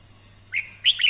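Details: Red-whiskered bulbul, daily voice-training song in 'căng lửa' style: a short rising note then a loud, quick flurry of warbled whistles within about a second.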